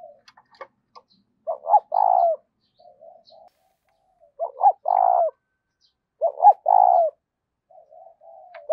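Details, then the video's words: Caged decoy spotted dove cooing daily to provoke and lure wild doves: three phrases, each two short clipped notes followed by a longer throbbing coo, with soft murmured notes between and a few faint clicks. "Chim Cu Mồi, tiếng cu mồi gáy kích bổi mỗi ngày"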